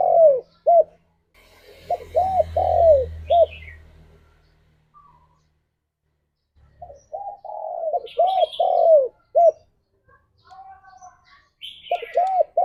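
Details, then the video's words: Spotted dove cooing lively for luring and stimulating other doves: runs of short, rounded coo notes and longer sliding coos across several phrases, with a low rumbling hum early on and high chirps from another bird. "Burung Tekukur Gacor Suara - Merdu Untuk Pikat Dan Pancingan"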